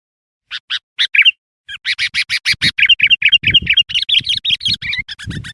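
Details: Sooty-headed bulbul in lively, chatty song, used as a lure to call in wild bulbuls: sharp high chirps repeated rapidly, building into dense bubbling warbled phrases, with faint low thumps underneath.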